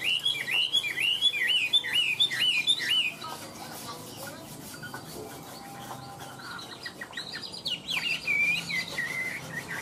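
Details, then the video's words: Chinese hwamei from Vietnam, described as singing like a machine without pause: a run of looping whistled notes repeated quickly for three seconds, a quieter lull, then fresh rising and falling whistled phrases. "Họa mi hót như máy - Hót ko bỏ mỏ"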